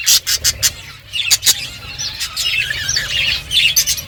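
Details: Budgerigars chirping while eating seeds: sharp high chirps and short squawky notes, some in quick clusters, with soft warbling between and faint clicks of feeding.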